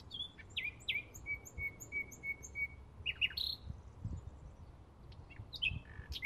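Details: Bluethroat singing in May 2016, a varied phrase: sharp high notes, then a steady row of about seven clear ringing pips at an even pace, followed by scattered twangy chirps and squeaks, with soft low background noise.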